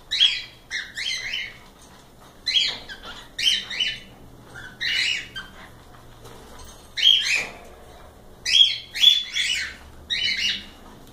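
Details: Cockatiels in a live stream, uttering a steady series of raspy, grating chirps, single or in quick pairs, spaced about a second apart, with brief quiet gaps.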